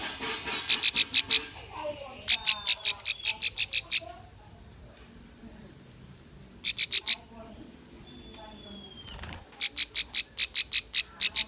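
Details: Bar-winged prinia song played to lure and train young birds: rapid trains of bright, high chips in three separated bursts, a long thin descending whistle in the quiet gap, and faint low murmuring behind.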